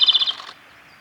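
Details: Male Japanese robin singing at Yanagisawa Pass on 28 April 2019: a loud, rapid rattling trill of high pulsed notes lasting half a second, then fading into quiet background.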